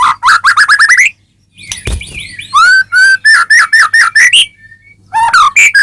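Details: White-rumped shama (murai batu) in a cage, song used to spur other birds to sing; rich varied whistles and rapid rising notes in quick sequences, one brief click, low background hum.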